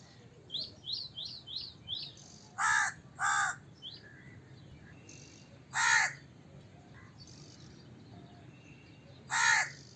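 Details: Crow with loud raspy caws, a close pair and then single calls. Another small bird gives a quick series of thin rising chirps at the start.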